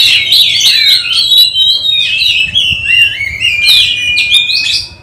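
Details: Oriental magpie-robin kept at home for contest training: loud, continuous sweet whistling with gliding, falling and rising notes, broken by brief scratchy clicks.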